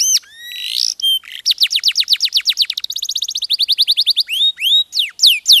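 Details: Domestic posture canary, one of the Yorkshire or Giboso breeds, singing a fast varied song: high whistles, then rapid rolls of steeply falling notes repeated several times a second, ending in sharp upswept and downslurred phrases, clean with no background.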